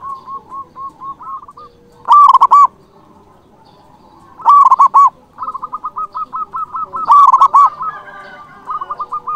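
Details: Excited local perkutut with a big voice, singing to call rivals: soft quick coo runs alternate with loud rolling phrases about every two and a half seconds, while another dove keeps up a rapid murmuring series.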